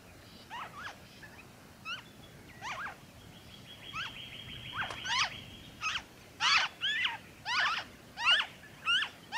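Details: In Victoria, Australia, February 2023, a noisy friarbird starts with soft scattered notes, then builds to a loud, regular string of grating, cackling calls, with a thin sustained whistle-like tone midway.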